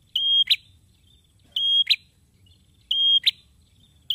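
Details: Male prinia in full, persistent song: a level shrill whistle with a buzzy double-chip ending, repeated steadily about every 1.4 seconds.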